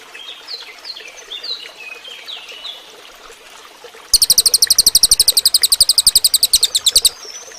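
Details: Cililin song used to train other songbirds. Soft, scattered whistled notes come first, then a loud burst of rapid, high, ringing chirps delivered about ten per second for three seconds.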